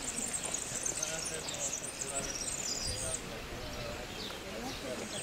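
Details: A European serin (Serinus serinus) in Granada, Spain, in April 2011 gives a high, rapid, jingling twitter for about three seconds, then falls quiet; a low murmur, possibly voices, runs underneath.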